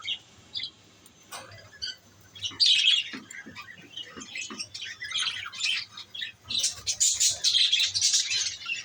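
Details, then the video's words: Lovebirds starting with scattered sharp chirps, then rising into loud, rapid squawking and chattering bursts over the second half. "love bird's"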